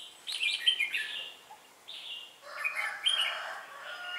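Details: Red-whiskered bulbul song during bird trapping with a slide trap on 4 December 2016; two bright warbled phrases of rising and falling whistled notes, separated by a short pause, with a second burst of song toward the end.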